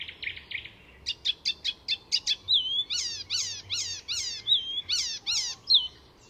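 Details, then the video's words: Song of an Icterine warbler incorporating other species' calls, Fysingen reserve, Sweden: a quick series of sharp clicks, then repeated descending nasal squeaky phrases alternating with thin whistles, steady and energetic. "Icterine Warbler in full song; A master of mimicry…"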